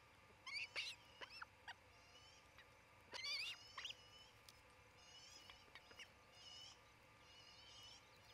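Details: On a Charlo, Montana nest cam before noon on 27 June 2018, an osprey of the nesting pair gives two short bursts of shrill, slurred chirps about three seconds apart, then fainter scattered notes.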